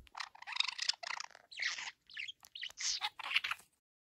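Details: Young pet budgerigar, a few months old, recorded 23 August 2022 as it chirps and begins learning to talk; a dense run of scratchy, warbling chatter in quick bursts with brief gaps, ending in silence.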